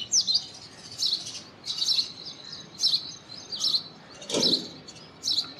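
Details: Indian robin delivering repeated short, high chirping phrases about once a second, each a quick bright twitter; one brief low thud partway through.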